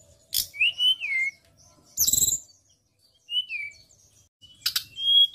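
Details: ['Sharp besetan song of a white-browed shortwing, used to train songbirds: slurred whistles dipping and falling, a harsh broadband rattle, another short falling whistle, then a buzzy burst ending in a high note.']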